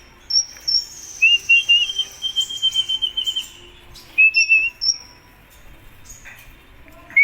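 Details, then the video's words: Kolibri Ninja sunbird, kept as a contest songbird and singing actively: clear, thin whistled notes, some level and long, some wavering, jumping between high and very high pitches, delivered in short bursts with pauses. "Suara Burung Kolibri Ninja Gacor Mau Juara - Hummingbirds Sound"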